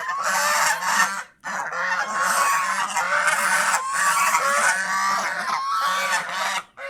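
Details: Several domestic geese, happy in the fields around the house, honk loudly and continuously, their nasal, overlapping calls forming a noisy chorus with only a brief pause.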